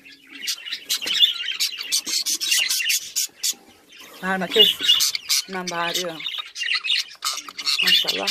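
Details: Home-bred pet budgerigars kept as a hobby flock fill the room with dense, overlapping high chirps and warbling twitters. A woman speaks briefly in the middle and again near the end.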